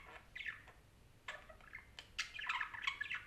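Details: Parakeet conversation of quick chirps and grating squawks, starting sparse and then becoming a dense, rapid stream of warbled notes near the end.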